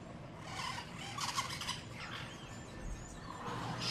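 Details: Brown-throated parakeets in Paramaribo, Suriname, heard from a bedroom, give harsh, high screeching squawks in a quick cluster of bursts, with a low background rumble.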